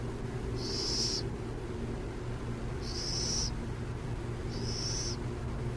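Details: Three hoarse, high-pitched hissing screeches from a burrowing owl near San Jose, about two seconds apart, with faint low background hum.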